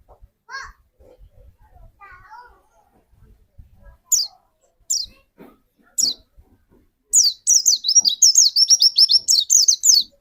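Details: White-eye song used to trigger another bird. After quiet scattered chirps and a few single high descending notes, a sudden burst of rapid, piercing high notes runs for about three seconds.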